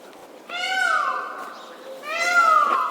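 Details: Indian peafowl displaying its feathers gives two drawn-out, rich wailing calls about a second and a half apart, each rising then sliding down, with a quiet background.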